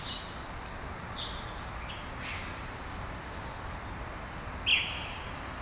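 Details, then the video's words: Dawn birdsong in Brasília, Brazil, with several small birds giving high sweeping chirps and thin whistles, scattered and overlapping, one louder chip near the end, over low rumbling background noise. "Passarinhos ao amanhecer, em Brasilia"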